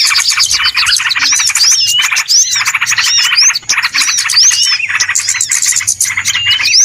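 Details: Small birds on a trapping lure recording, a busy wall of overlapping chirps and rapid twittering with scattered rising and falling whistled notes, steady and loud from start to finish.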